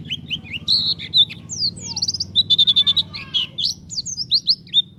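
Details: White-eye (pleci) singing in the lively gacor, nembak style used to lure other white-eyes: rapid high twittering phrases of thin, sliding whistled notes in quick bursts, over a steady low hum.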